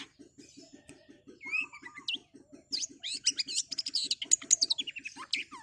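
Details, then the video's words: Long-tailed shrike in fast, busy song: a few whistled slurs, then dense runs of high, sharp, varied notes, over a steady low pulsing beat in the background. "Cendet Super Speed, kuat kaya werkudoro oreo masteran burung kicau gacor dor rool speed"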